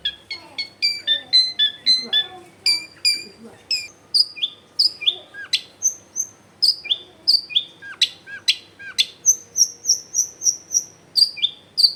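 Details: Energetic Long-tailed shrike song, natural sound meant to get silent shrikes singing: a rapid stream of high whistled notes, downslurs and sharp chips, ending in a quick repeated series of thin, high whistles.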